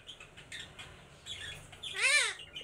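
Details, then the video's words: A female Indian ringneck (rose-ringed) parakeet kept as a pet gives a loud, harsh squawk with a stacked, arching tone that rises and falls once near the end, after softer chattering and faint household sounds. "funny bird"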